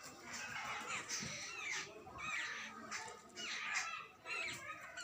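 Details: Jungle babblers, young and adult, give repeated bursts of high, squealing, harsh notes about every second, with faint background noise.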